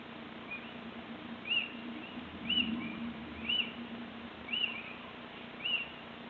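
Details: Little owl on 26 March 2014 giving a regular series of sharp, high, arched notes about once a second, five or six in a row, with a faint low hum underneath.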